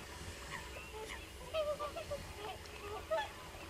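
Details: Numerous common cranes sounding from afar: a cluster of brief bugling notes in the middle and another call near the end, with overtones, set over a quiet steady hum.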